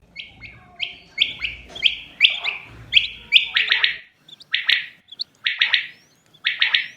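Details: Quail calls in a clean recording made around Eid: short, sharp, bright notes in quick bursts of two or three, repeated through the first four seconds, then clearer clipped triplets after a brief pause.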